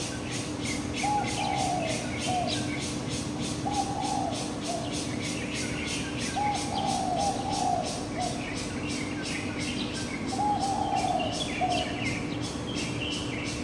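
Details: Morning birdsong, recorded with a Canon PowerShot SX700HS: a constant stream of high, rhythmic chirps, broken every few seconds by lower, warbled phrases, all over heavy background hiss and a steady hum.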